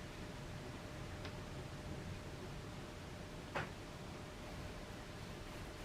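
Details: Quiet indoor hiss with two soft clicks, one around the middle, and no animal voice.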